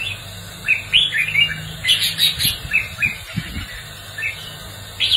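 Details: Red-whiskered bulbul competitive song for training a newly caught bird: busy overlapping whistled chirps and trills throughout, with a few dull low thumps and a steady background hum.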